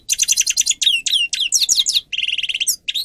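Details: Song of the grey-crowned goldfinch, recorded for tutoring caged birds: fast metallic twitters, downslurred whistled notes and a run of rapid repeated buzzy trill notes, all high and continuous.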